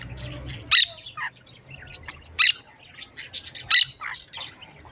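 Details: Parakeets together with budgerigars giving piercing, high squawks spaced one to two seconds apart, with softer chirps and chatter between the louder calls.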